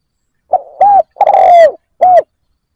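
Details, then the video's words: Decoy spotted dove cooing to draw in wild doves: one phrase of a brief note sliding into an arched coo, a long falling coo, then a last short arched coo, with no other sounds. "Cu mồi gáy kích bổi cực nhạy dành cho bổi khó tính"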